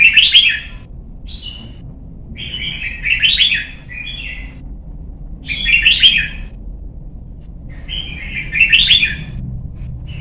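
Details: Caged young white-cheeked red-whiskered bulbul in Vietnam, kept for voice training and competition singing. It gives short bright warbled phrases, rich and chattering, in four bursts about every two to three seconds, with a low hum behind.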